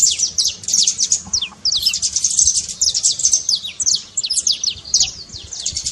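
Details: Saffron finch delivering a trincado song to rouse a cold, quiet canary: a steady stream of rapid, high, falling chips and slurs, dense and scratchy throughout.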